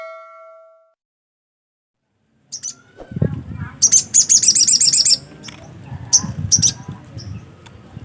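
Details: Black-capped white-eye singing steadily: after a few electronic beeps and a pause, a fast run of high, sharp twittering notes lasting over a second, with scattered chirps and low rumbling handling noise beneath.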